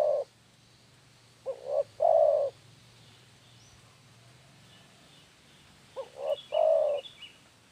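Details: Spotted dove calling as a lure, giving two phrases several seconds apart, each two short clipped coos then a longer mellow coo, over faint low hum.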